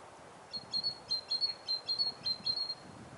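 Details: Great tit singing in autumn in Siberia: a quick series of about eight high, sharp, clear notes, evenly spaced roughly twice a second, over a soft background hiss.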